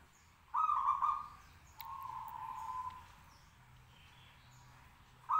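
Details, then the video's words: Local zebra dove singing to stir other doves into answering: a harsh, trilled cooing phrase, a longer, softer purring coo, then another phrase starting at the end. "Rekaman los perkutut lokal gacor manggung 10 menit bikin nyaut lainya"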